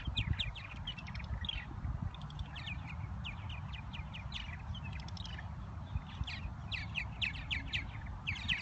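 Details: Purple martins, Chicago lakefront at Irving Park in spring: a steady stream of throaty chirps and warbled notes from several birds, coming in quick clusters throughout, with a constant low roar behind.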